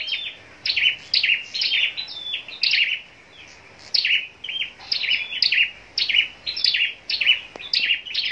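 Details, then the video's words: Scarlet-backed flowerpecker kept for singing contests, giving a lively song of sharp, high chirps grouped in quick clusters about twice a second, with a brief pause midway before the bursts resume. "Chim Sâu Đầu Đỏ Hót Đấu"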